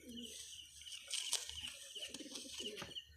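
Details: Pigeons of local and foreign bloodlines: soft, low, bubbling coos come in short phrases at the start and again near the end, over a hissy high background with a faint thin whistle-like tone.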